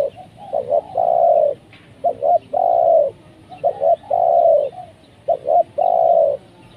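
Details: Trained decoy spotted dove used to lure wild doves, which came down for the first time and were caught. Low hollow phrases of two quick coos and a long sustained coo, repeated four times, steady and clear.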